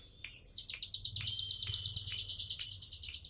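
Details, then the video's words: Bar-winged prinia in a relaxed tembakan-style song: a steady high buzzy trill laced with regular sharp chirps, roughly three each second, with a low hum behind. "Tembakan santai ciblek sawah"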